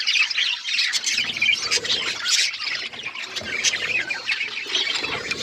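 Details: Budgies keep up lively, overlapping chirping while feeding on seeds, a rippling stream of high squeaky notes and short warbled phrases.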